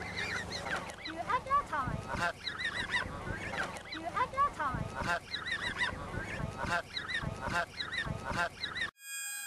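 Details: A Canada goose (Branta canadensis) that was being fed gives loud, nasal honks in quick bursts every couple of seconds, seeming to answer a child who talks to it.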